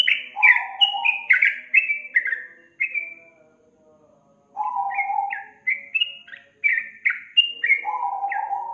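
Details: Yellow-vented bulbul song meant to stimulate a lazy young bird to sing. Fast bubbling whistled phrases and low buzzy notes come in two bursts separated by a quiet gap of about two seconds.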